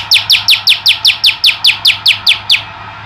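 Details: Male olive-backed tailorbird in vigorous song: a rapid, even series of thirteen loud, high notes, each sliding downward, repeated about five times a second before stopping abruptly, over a faint low hum.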